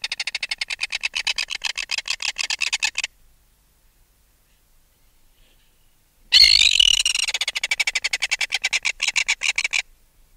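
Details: Two bouts of shrill, rattling alarm calls from an adult red-billed tropicbird removed from its nest, recorded close. They are separated by about three seconds of silence, and the second bout opens with a harsh scream.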